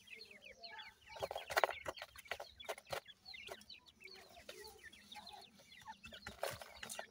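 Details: Captive partridge (teetar) chicks kept with Iranian pheasant chicks at feeding time: a dense chorus of high, thin, down-slurred peeps from many chicks overlapping continuously, with loud clattering knocks and bursts of handling noise.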